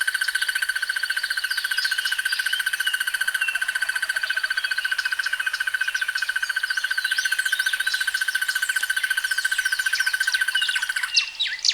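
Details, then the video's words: Sustained rattling trill of a crested barbet, fast and regular like a mechanical buzzer, running nearly eleven seconds before stopping. Busy chirping and whistled notes from other birds continue all through. "The sounds of Crested barbets"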